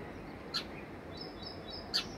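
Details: House sparrow near its home giving two short, sharp chirps about a second and a half apart, with faint thin whistles between them over a steady hiss of background noise.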